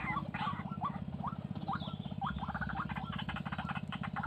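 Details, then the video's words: White-breasted waterhen, wild and described as very fierce, giving quick upslurred whistled notes that run into dense harsh chattering croaks, over a persistent low humming background. "RUAK RUAK SUPER GALAK LIAR"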